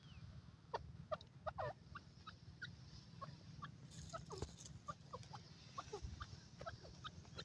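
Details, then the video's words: Grey francolin, locally called Dakhni teetar, heard in natural calling: many short, sharp, rising notes fired off at irregular intervals, some overlapping as if from more than one bird, over a steady low rumbling background. "best dakhni teetar ki awaz,narural teetar voice awaz"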